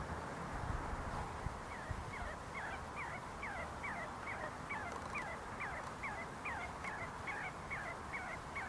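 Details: A group of see-see partridges feeding and fighting on the University of Sulaimani grounds in Kurdistan: faint, rapid series of short descending whistled notes, about two per second, over steady background hiss and low rumble.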